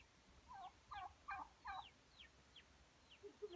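A male turkey gives a fast, gurgling gobble of about five quick dropping notes, then fainter trailing notes.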